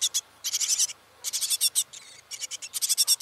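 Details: Great tit family raising ten chicks in a nest inside a trash can: rapid buzzy, rasping bursts of high calls in quick clusters with short pauses between groups, strong and close, with a quiet background.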